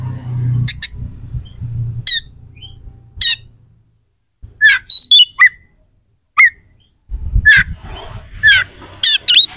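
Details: Oriental magpie-robin (kacer) song of a prolific contest bird, full of rough, sharp fillers meant to provoke rivals into fighting: scattered buzzy bursts and brief whistles separated by pauses, over a low background hum.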